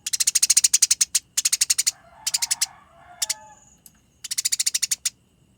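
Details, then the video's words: Eurasian tree sparrows fighting, with clear, close, rolling chattering. Rapid harsh chirps come in short clusters, and a softer, lower, murmuring call sounds between the middle bursts. "Masteran Gereja Tarung Konslet Gacor Ngerol Nyerecet Rapat Panjang Suara Jernih"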